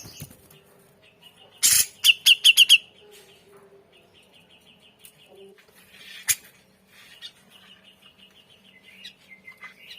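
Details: Grey-cheeked bulbul in a masteran tutor recording described as full of varied notes and singing actively: a loud harsh burst, then a quick run of five sharp, high, descending notes, and later softer repeated chattering phrases over faint background hum.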